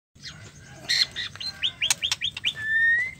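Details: Female white-rumped shama, caged, calling to the male, a call used to stimulate silent or stressed males into singing: a quick run of bright rising whistled notes ending in one long, slowly rising whistle.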